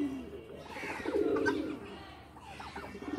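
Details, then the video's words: Low, pulsing coos from loft pigeons at play, one strong rolling phrase in the middle with softer coos around it. "Pigeon are playing in loft"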